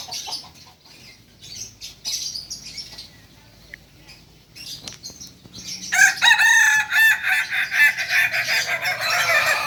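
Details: Kokok Balenggek chicken crowing: after six seconds of faint chirping birds and rustling, a loud run of about eight quick, rhythmic stacked syllables rises in and continues to the end.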